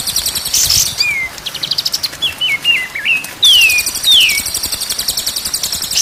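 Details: White-rumped shama song from a training recording played day and night to get caged birds singing: clear whistled notes, some wavering and some sliding downward, with bursts of fast, high, buzzy chatter at the start and end.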